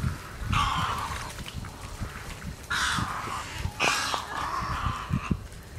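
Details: Egrets feeding at a watering hole at breakfast time in J.N. "Ding" Darling National Wildlife Refuge, giving harsh, raspy croaks in three bursts of about half a second to a second each, over a low rumbling background.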